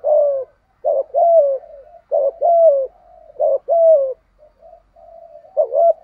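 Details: Calling spotted dove kept as a decoy to attract wild birds, delivering repeated paired phrases, a short note then a drawn-out falling coo, about four times in succession, with quiet murmurs between phrases.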